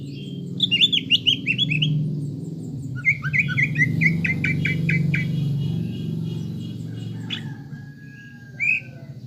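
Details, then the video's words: Greater green leafbird lure song meant to make a caged bird emotional and build a fighting mentality: quick bursts of chirpy notes and rattled series over a steady low hum, then quieter. "PANCINGAN CUCAK IJO GACOR AGAR EMOSI UNTUK MEMBENTUK MENTAL FIGHTER"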